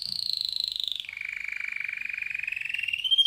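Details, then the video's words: Male canary singing: a fast, steady trill of rapid repeated notes, first high, then dropping to a lower rolling tour that runs on for seconds before climbing again at the end. "Canary bird singing"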